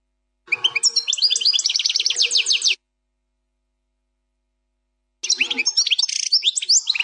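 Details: European goldfinch, plak mine style song, fourth section. A fast series of descending, slurred notes forms a rippling trill, followed after a pause by varied tinkling twitters and a buzzy note.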